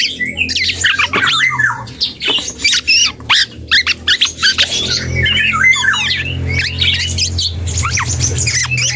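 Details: Juvenile dark-throated oriole learning to sing, giving a dense, scratchy babble of squeaky notes, rising and falling whistles and buzzy chatter almost without a break, over a constant low drone.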